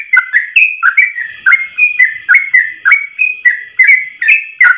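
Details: Yellow-vented bulbul in the rapid 'ropel' style, one long breath, recorded as a tutor song for other trucuk birds: quick bubbly whistled notes, each a short dip and rise, about two to three per second.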